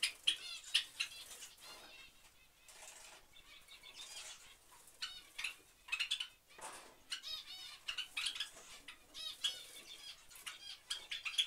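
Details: Java sparrow family giving high, clipped chips and bell-like notes, many overlapping in quick irregular bursts, with soft wing flutters and rustling between.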